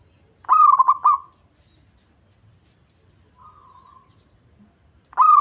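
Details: Zebra dove of a local strain with a heavy, low voice, used as a lure: a brisk rolling, stuttered coo, a soft faint note later, and a new phrase starting at the end, with thin high chirps of other small birds early on.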